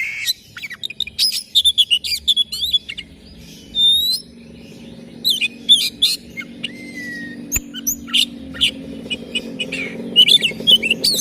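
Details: Oriental magpie-robin singing in the morning, scattered chirps and slurred whistles with pauses, including one long level whistle, over a steady low hum in the background.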